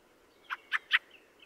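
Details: Three loud, grating chack notes in quick succession, each about a fifth of a second apart, from a Fieldfare (Turdus pilaris), with faint whistles behind.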